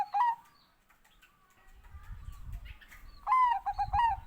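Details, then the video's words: Bangkok-type zebra dove singing: bursts of quick, bright, stuttering coo notes, one at the start and a longer run near the end, over low rumbling background noise. "OCEHAN BURUNG PERKUTUT BANGKOK"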